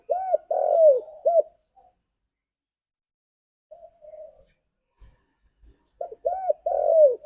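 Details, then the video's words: Spotted dove calling its companions: a phrase of short arched coos followed by a longer drawn-out coo near the start, a faint low coo mid-clip, and the phrase repeated at the end; otherwise quiet. "Suara Burung Tekukur Memanggil Temannya"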